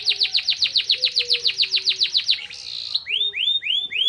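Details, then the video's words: Canary song carrying white-eye (pleci) phrases, played to lift birds' excitement. Some twenty fast, bright, downward-swept notes repeat evenly, then a brief hiss and a run of sweet rising whistles. "Burung kenari bocor materi pleci untuk menaikan emosi"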